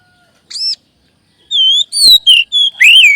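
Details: Oriental magpie-robin (kacer) song for boosting a caged bird's confidence: one short arched high note, a pause, then a loud quick series of clear whistles that slide down and up, ending in a warbled flourish.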